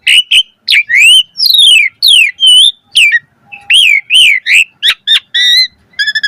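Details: ["Asian pied starling (jalak suren) singing a full-variation 'mompa' style song with rich fill notes: rapid series of sharp whistled slurs and squeaky chirps, many falling or upward-curved, ending in a quick rattling burst."]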